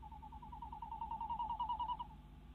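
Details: Female tawny owl calling from a nest box in the Netherlands on a February 2016 night as the male delivers a mouse. The call is a rapid series of nasal pulses that build to a loud tremolo and then trail off.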